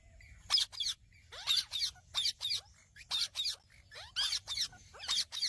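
A rose-ringed parakeet gives harsh, screechy squawks in pairs, about one burst per second, over a faint low rumble.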